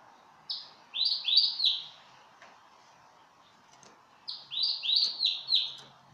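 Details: Pet male yellow domestic canary singing two short phrases separated by a few seconds of near quiet, each a quick run of four or five high, slurred chirping notes rising then falling.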